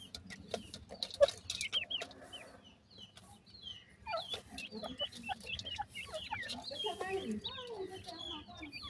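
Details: Bhoray teetar chicks peeping: sparse high chirps at first, then a busy chorus of short, bent, squeaky notes from several chicks, with faint clicks and a low hum behind.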